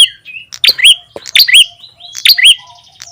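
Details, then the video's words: Ashy tailorbird lure call meant to attract birds: bright rising chirps with high sharp clicks, repeated roughly every second over a faint thin background whistle. "SUARA PIKAT PRENJAK TAMU/KEPALA MERAH"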